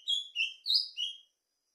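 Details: Brief burst of plumbeous seedeater song, four loud, high, clear slurred notes, the third pitched highest, delivered in just over a second before falling silent.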